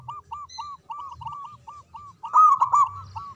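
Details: Zebra dove of local stock singing: softer, evenly spaced arched coos roll along, then a louder, fuller trilled burst near the end, with faint high chirps above.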